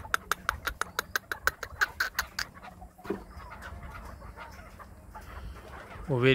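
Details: Chukar partridge kept by an owner in Krasnoyarsk, encouraged to perform, gives a quick train of about fourteen sharp clucking notes over two and a half seconds, then quieter room sounds and a man's voice.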